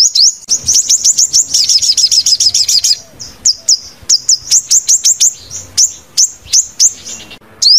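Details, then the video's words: Sunbird song used as a lure: very high, thin, sharp chirps in quick runs, briefly speeding into a rapid trill before settling back to separate notes. "Tiếng Chim Hút Mật 5 Màu Kích Bổi Nhanh Hót"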